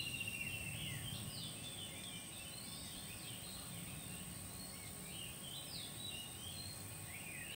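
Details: Chestnut-headed bee-eaters (Merops leschenaulti) at a golf resort in Perak, Malaysia, in the late afternoon: short, rolling, trilled chirps, several birds overlapping in a loose chatter over steady low background hum.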